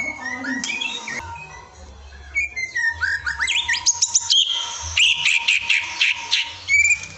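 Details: White-rumped shama masteran, a training recording, with a varied song of clear whistles, upslurred notes and fast buzzy trills in bursts, over a steady low hum.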